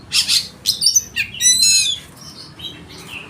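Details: Oriental magpie-robin in loud, rich song intended to spur rivals into singing; short burst of harsh broadband notes and thin high whistles fading into quieter warbling.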